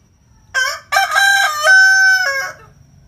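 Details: An ornamental rooster, from a set of Onagadori, Brahma, Poland, Kapas and Batik breeds crowing in the morning, gives one full crow: a short opening note, then a long, rich, stepped phrase that holds and drops away.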